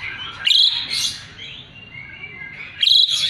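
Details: Asian pied starling song used to tutor magpie-robins: two loud rasping, whistled bursts about two seconds apart, separated by thin, quieter whistles.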